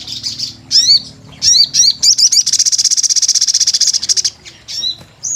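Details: High sunbird phrases of sharp hooked downslurred notes, then a long accelerating buzzy trill of many even pulses, ending with a few separate bright whistles.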